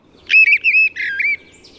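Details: Mistle thrush singing in Sweden in spring (late March–April): a brief, fluty phrase of clear whistled notes, fairly even in pitch and less deep than a blackbird's, with faint background murmur.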